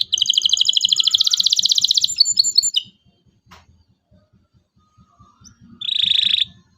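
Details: Local canary singing to prompt young canaries to learn. A long, rapid, pulsing trill with a few chirps is followed by a pause, then a short buzzy trill; soft low ticking sounds run beneath.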